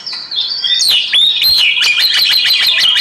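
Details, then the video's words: Oriental magpie-robin song set for relaxation: loud, high whistled notes that slide and warble, then a fast run of sharp repeated chips, bright and rapid throughout. "KICAU KACER"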